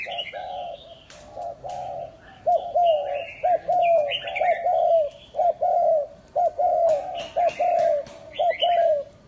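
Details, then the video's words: Spotted dove used as a lure bird in Vietnam, giving repeated low, hollow coos in short phrases of two to three notes, with higher chirping of other small birds overhead. "chim cu mồi hay đủ bài"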